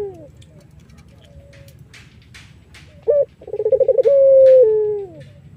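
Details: Collared dove of the Irak variety singing, a song used as a lure to attract other doves: two quick notes, a rapid stuttering roll, then a long steady drawn-out note sliding gently down. Faint high chirps of other birds are heard earlier.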